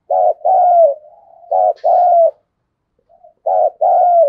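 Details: Spotted dove decoy calling thúc, gù and gáy gọi in a thunder-like voice. Three double coos, each a pulsed lead note and a drawn, gently falling tone, with a soft low hum between the first two.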